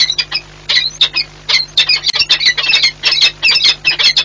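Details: Peregrine falcon pair in courtship display, Orlen Płock, Poland, 8 March 2022: grating squawks in quick bursts, some paired or tripled, backed by a low steady hum.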